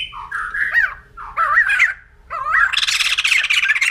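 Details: Two slurred, warbling whistled phrases from a white-crested laughingthrush, then a loud continuous harsh chattering that fills the last second and a half.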